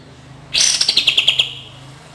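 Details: Cream-vented bulbul song as therapy for birds that rarely sing: a loud, quick run of about ten bright, chirping high notes, evenly spaced and gently falling in pitch, with a faint low hum beneath.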